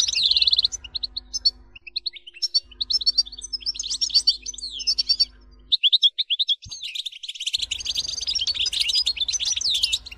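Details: Rapid, tinkling twitter of a European goldfinch, delivered in bursts of high chirps and short trills. The song is broken by brief pauses, with a faint low hum under parts of it.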